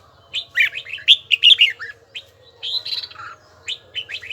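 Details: A red-whiskered bulbul practises its bell-toned song in a steady rhythm. Bright, slurred whistles tumble in a fast cluster, pause, then resume as looping warbled phrases and single chirps.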